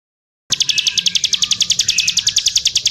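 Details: Bar-winged prinia (ciblek sawah) singing vigorously: after half a second of silence, a fast, even train of high, sharp double-toned notes, about ten per second, runs steadily to the end.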